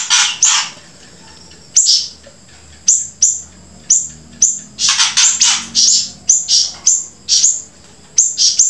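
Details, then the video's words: Grey-breasted prinia singing persistently, joined with siri-siri song: sharp high notes that sweep downward, then bursts of scratchy chirps, repeated roughly every half second after a short pause. "flamboyan gacor sambung siri siri"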